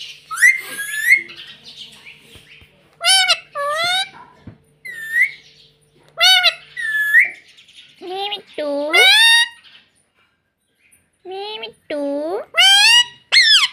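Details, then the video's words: Rose-ringed parakeet kept as a pet, mimicking the word "mummy": bursts of nasal, voice-like syllables in quick pairs, repeated many times with short pauses, mixed with high whistled chirps. "Bolne wala tota || talking parrot || mummy bolne wala tota"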